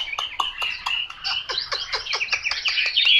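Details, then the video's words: ['Chinese hwamei delivering a series of crisp downward-slurred notes, roughly four per second, woven into a continuous whistled warble that grows louder toward the end.'] "Họa mi tuyển chọn"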